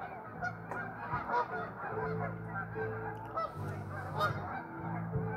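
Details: Restless geese honking over and over, with harsh, nasal calls that overlap in a busy, continuous chorus.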